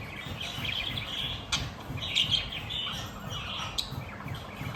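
Budgerigar chirping in a steady, busy stream of high twittering notes with a few sharper clicks.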